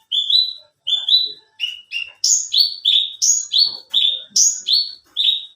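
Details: Competition branjangan bush lark of the alinea variety in full song: about a dozen short rising whistled notes, alternating between higher and lower pitches, given in steady rapid sequence.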